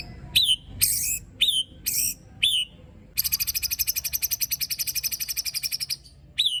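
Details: White-rumped shama song of the harsh, aggressive type meant to provoke rival shamas: several short whistled notes sliding down, then a fast rattling trill of about three seconds, repeated very rapidly, ending with one more whistled note.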